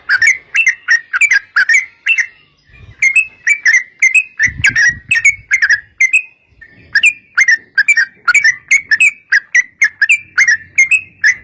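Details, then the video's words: Long 'ropel panjang' song of a yellow-vented bulbul, played to coax other bulbuls into singing: an unbroken series of bubbly, slurred whistled notes in rapid clusters, with occasional low knocks and a soft hum. "trucukan gacor TARUNG ROPEL PANJANG pancingan trucukan agar bunyi jadikan burung trucuk gacor NYAUT"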